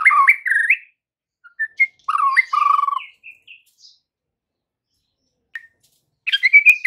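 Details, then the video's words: Afternoon white-rumped shama lure for juvenile and young birds: quick varied whistles with sharp upslurs, a low steady warbled note, scattered soft chips during a long pause, then a burst of high bright notes. "PANCINGAN MURAI BATU SORE HARI UNTUK TROTOL DAN PASTOL, AGAR MURAI NYAUT GACOR"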